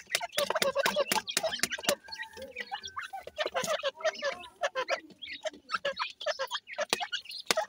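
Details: Grey francolin chicks (dakhni teetar) give rapid thin chirps and a few drawn-out whistled peeps. Loud sharp tapping clicks come in bursts, especially early on.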